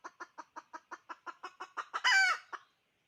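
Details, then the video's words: Hen, a female decoy chicken, calling: about a dozen short clucks repeated quickly and steadily, building to one long, loud, harsh squawk and a final cluck, then silence. "Poj qaib dib tsauj thiab seev zoo เสยงเมยไก่ต่อกะร้อง"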